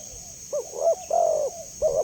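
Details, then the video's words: Spotted dove giving a clear call offered as a lure and training sound: a short low coo, a double hooting note, then a longer sustained coo and a final two-part note, over a steady high-pitched whine. "Suara Jernih Burung Tekukur Paling Disukai Dan Cepat Direspon Tekukur"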